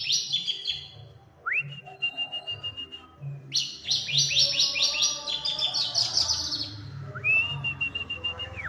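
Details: A white-rumped shama in lively full song alternates long, level, clear whistles that begin with an upward sweep against dense bursts of rapid, buzzy, high-pitched trills, with faint low background noise.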